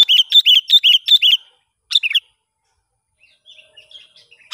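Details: Sooty-headed bulbul, a young decoy bird tested in the wild, gives a quick run of six bright, bubbly chirps, then a brief two-note phrase and faint scattered notes.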